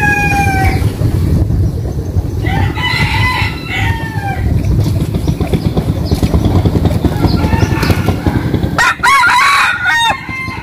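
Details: Chickens crowing one morning in a home village: several overlapping crows at different distances, the last one close and strong, partly masked by heavy low rumbling like passing vehicles.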